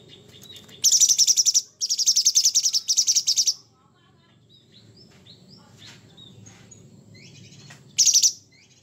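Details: Energetic Sooty-headed bulbul in coarse 'materi kasar' style: three back-to-back buzzy pulsed bursts, then several seconds of faint chirps and background murmur before one more brief harsh rattle.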